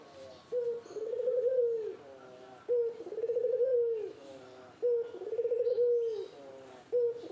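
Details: Barbary dove courting a female, calling vigorously: a repeated rolling coo, a short sharp note followed by a long purring trill, about every two seconds, low and rounded.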